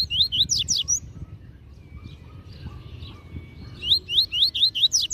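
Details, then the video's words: Caged master double-collared seedeater singing the Tui Tui Zel Zel song style used for tutoring young birds: bursts of fast, bright upslurred whistled notes, then a pause and another run of rising notes. "Tui Tui Zel Zel Canto Top Para Encarte!!! Coleiro Mestre!!!"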